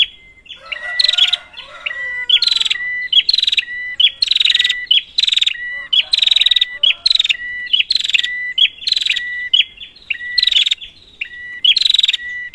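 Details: Prinia lure recording: insistent buzzy chatter bursts alternating with short flat whistles, continuing steadily about once a second, with faint lower chirping early on.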